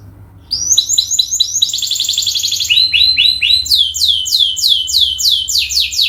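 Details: After a quiet start, a canary launches into a long training-lure song: clipped rapid notes, a dense buzzing trill, then repeated falling whistled phrases at a fast steady pace, with a low background hum.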